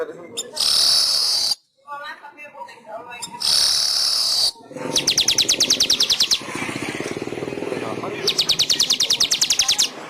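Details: Weaver song used as a master recording to train pet weavers: two long buzzy hissing bursts, followed by fast rattling trills of evenly repeated sharp ticks. Faint background noise is heard between phrases.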